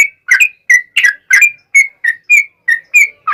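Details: Yellow-vented bulbul in long rapid 'ropel panjang' song, used as a lure so other bulbuls answer: bright, slightly buzzy whistled notes, about eleven in a row, some dipping and some rising, roughly three per second, no other sounds.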